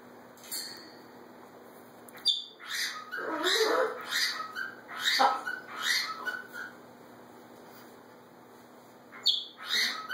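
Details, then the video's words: Two pet macaws talking to each other indoors: a quiet start, then a run of rapid, rough, scratchy squawks for about four seconds, a pause, and two more harsh squawks near the end. "More Macaw Pair Interaction"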